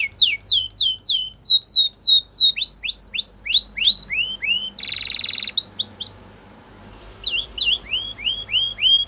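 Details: Spanish Timbrado canary singing rapid series of swooping whistled notes, a short intense metallic roll, a silent pause, then soft rising phrases resuming.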